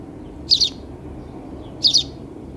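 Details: Two crisp sparrow chirps, each a quick pair of high bright notes, about one and a half seconds apart against a low steady hum.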